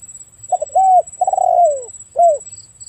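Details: A spotted dove utters a soft, throaty cooing phrase: stuttered short notes, an arched hoot, a long gently falling coo and a final short drooping note, against a thin steady high tone.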